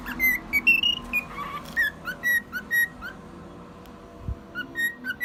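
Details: Male cockatiel aged one year singing a tune, with a rising series of whistles, a brief pause, and further evenly spaced short whistled notes in an indoor room.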